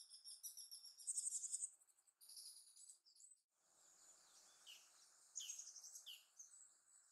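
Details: Japanese tits in Sakura-no-yama park near Narita airport, Japan, give high, thin twittering notes and a few short down-slurred whistles, quick and irregular, over a soft background hiss.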